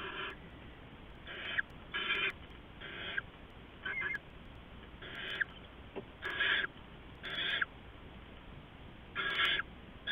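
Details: At an owl nest in the early morning of 15 November 2015, an adult delivers rats to owlets; about ten raspy, noisy hissing bursts come in quick succession, some doubled, over constant low hum and faint clicks.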